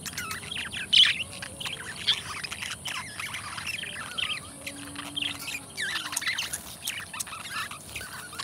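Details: Two pet budgerigars kept as companions, chattering continuously with soft scratchy warbles and short chirps, a brief louder squeak early on, over a faint steady hiss.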